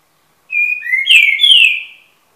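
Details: Young Trinca-ferro, eight months old, delivering a loud clear whistled phrase: a flat high note, then a lower rising slur, then two rich descending whistles with buzzy overtones, lasting about one and a half seconds against silence.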